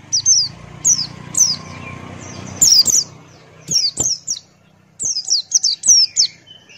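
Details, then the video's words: Buxtoni white-eye in ngalas song: a long series of high, piercing falling whistles in pairs and quick runs, over a low humming background noise. "Masteran Pleci Buxtoni Ngalas Buka Paruh"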